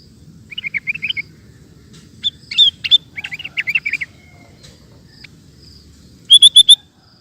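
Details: Sooty-headed bulbul in lively, persistent song, recorded for training cage birds: short bursts of bright, chirpy, bubbling notes, then a final rapid run of four sharp whistled notes, over a faint low background rumble.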